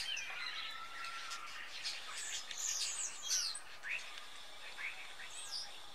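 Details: Autumn flock of common starlings gathered in high firs in Jutland, Denmark, feeding on berries before migrating south. Overlapping chirps, sharp clicks and slurred whistles form a steady chatter, with brief swooping notes near the end.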